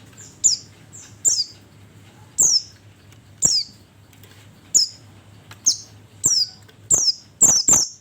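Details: Oriental white-eye calls used as a lure to attract the birds: very high, thin, sharply falling chirps, single or doubled, repeated roughly every second against a faint low hum.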